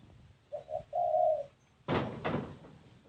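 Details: Spotted dove giving an unusual cooing style: two short low coos, then a longer drawn-out coo, followed by two loud broad knocking noises.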